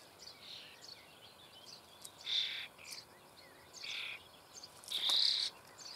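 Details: In a nest hole in the Eifel near Büchel, Germany, fed starling young utter rough, hissing rasps, roughly every second or two, the last one loudest and longest.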